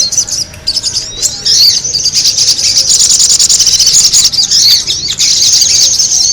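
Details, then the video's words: Lure sound of the noisy sogon bird. It starts with scattered sharp high chirps, then builds into a dense, shrill, continuous twittering chatter. "the sound of the noisy sogon bird lure"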